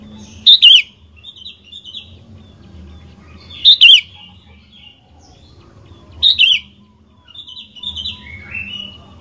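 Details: Sooty-headed bulbul singing to prompt other bulbuls: loud short bubbling double-note phrases repeated about every three seconds, with softer twittering from other birds in between.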